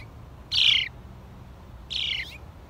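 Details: House sparrows chirping: two loud, harsh, slightly descending chirps about 1.4 seconds apart over quiet low background noise.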